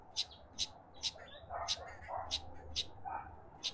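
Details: Karoo thrush at a bird bath in a suburban garden in Pretoria, South Africa, giving sharp, short high chips about twice a second, with softer lower notes between them and faint garden background hum.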